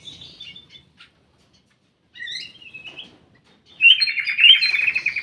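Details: Ruby-throated bulbul in a private aviary singing short twittering bursts separated by pauses, ending in a loud, fast, rolling chatter of bright warbled notes.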